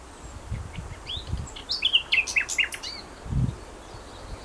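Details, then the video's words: Bird singing near Feldberg, Mecklenburg-Western Pomerania, Germany, on 27 May 2011: a short, quick phrase of high, slurred whistled notes descending in steps over about one second, with low rumbling wind or traffic noise beneath. "Wer singt da?"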